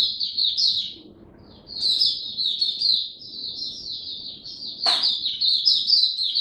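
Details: White-eye kept as a caged songbird, tested on the fifteenth day of a song booster on 3 November 2022, pours out an almost unbroken high twittering warble after a short pause, with one sharp click near the end.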